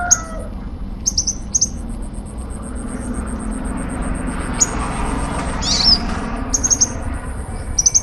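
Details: Sunbird (kolibri ninja) at Bakalan giving short, sharp, very high chirps in scattered bursts, some doubled or tripled, over a steady low rumble of traffic and background hiss.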